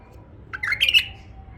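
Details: A short, bright phrase from a tame male bulbul: half a second of rolling, liquid warbled notes that rise and then fall, with quiet before and after.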